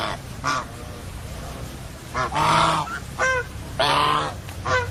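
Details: Goose honks ring out in spaced bursts: one early call, then from two seconds several loud nasal honks with clear stacked harmonics, roughly every half second, against low rumbling background noise.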